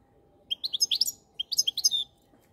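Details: Two short bursts of high, liquid goldfinch twitter, each a rapid cluster of chirping notes around a second long, separated by a brief pause.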